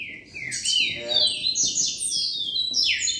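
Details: Green-winged saltator giving a rapid run of loud, clear whistled phrases that slide up and down and tumble together for about three seconds, with a faint murmur beneath.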